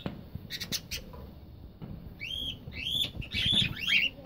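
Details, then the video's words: Cockatiels in a breeding colony: a few soft clicks and thumps, then a run of loud arched chirps and squawks, increasingly rapid and overlapping toward the end. "cocktail parrots talking sound"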